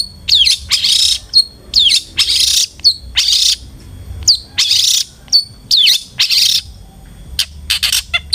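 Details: Long-tailed shrike lure song to encourage a kept bird to sing: loud harsh rasping bursts alternating with thin whistled upslurs, repeated in phrases roughly every second, over a low hum.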